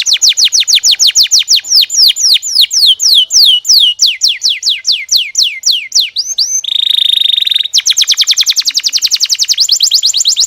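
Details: Canary singing, long run of fast descending whistled sweeps from high to mid pitch, several per second, then a brief steady buzzy trill before the rapid sweeps resume.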